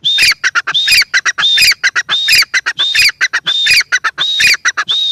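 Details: Continuous loud calling from a female grey francolin: rhythmic repeated phrases, each a high whistled note dropping into fast, raspy, stuttering notes, repeated roughly every 0.7 seconds without a break.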